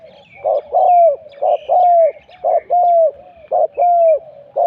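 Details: Spotted dove cooing during a decoy session at spot 41 in Thailand: a short low note followed by a long, slightly falling coo, the pair repeated about once a second, with faint higher chirps from other birds.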